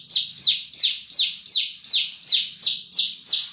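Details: Horsfield's bush lark repeating one high, down-slurred whistled note at a very even pace, nearly three per second, ten notes in a row, clear and loud.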